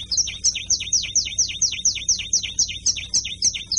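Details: Canary singing in the carretilha style: a fast, steady train of bright high notes, each a sharp whistle dropping into a short down-slurred chip, about two per second and running throughout with no other sounds.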